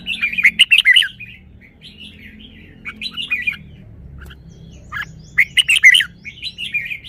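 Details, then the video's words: Red-whiskered bulbul performing its song, a phrasing style praised as good (samnuan). Short bursts of bright, warbling, chattering notes come in three clusters about two seconds apart, with quiet gaps and a low background hum. "นกกรงหัวจุก จ้าวมาดี สำนวนดี"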